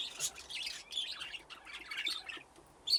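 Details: Aviary budgerigars at play near nesting boxes: a run of scratchy warbled chirps and squawky notes from several birds, ending with a sharp high squeak.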